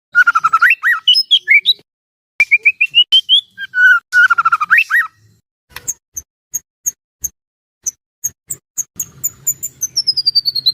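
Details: White-rumped shama, a caged bird kept by hobbyists, in full varied song used as a trainer to rouse other shamas: loud whistled phrases with rapid slurred notes, then sharp high chips and a falling high whistle near the end.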